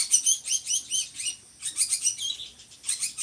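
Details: Drongo in full voice, favored for training other songbirds: quick chains of bright, high chirps and looping slurred notes in two short bursts separated by a brief pause.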